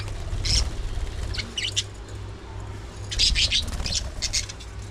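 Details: Budgerigars during early morning feeding time, giving short bright chirping bursts in two clusters, near 0.5 and 3.3 seconds, over a steady low hum.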